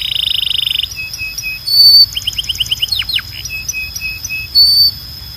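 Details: Belgian canary training song: a short buzzy trill, then evenly spaced soft piping notes, a quick series of rising chips, and a few steep descending slurs, with pure high whistles between.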